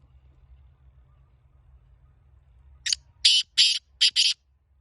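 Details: Kala teetar, or black francolin, of the Laka antique breed: after nearly three seconds of low rumble, one loud phrase of five scratchy, grating notes, the last two run closely together.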